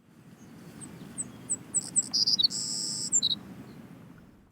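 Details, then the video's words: Savannah Sparrow in a Maritimes marsh, Canada, sings a soft song, a few very high, light chips, then a buzzy insect-like trill and a final high note, over low background rumble. "Le chant du bruant des prés est plus doux. Il ressemble à celui d'un insecte dans la deuxième moitié, tandis que la première moitié est très aiguë et légère."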